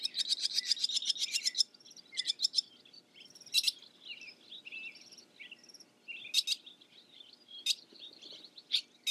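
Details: Barn swallow (Hirundo rustica) twittering in a fast run of high chirps for over a second, then scattered short twitters and warbled notes with brief pauses between bursts.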